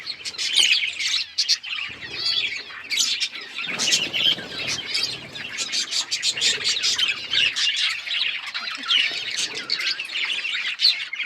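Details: A group of pet budgerigars keeps up a busy warbling chatter of sharp chirps and scratchy squeaks, with soft rustling or wing sounds in the middle.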